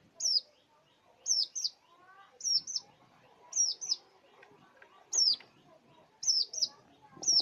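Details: Long-tailed shrike, whose song mimics many other birds, repeats a high, sharp, down-slurred two-part whistle about once a second, with soft lower chatter in between.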